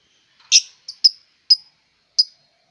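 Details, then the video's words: Melodious bird: a fuller, slightly broader opening note followed by a soft short chirp and three sharp high chirps at irregular half-second gaps, in quiet surroundings. "suara burung bird merdu"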